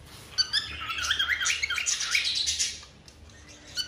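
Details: Breeding-mood cockatiel giving a mating call: a loud wavering warble of looping up-and-down notes lasting about two seconds, then fading to quiet.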